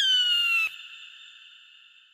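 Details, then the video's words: Eagle scream, a bright, harsh, slightly falling note that cuts off sharply, followed by a long fading ringing tail. "Âm thanh đại bàng || The sound and picture of the Eagle"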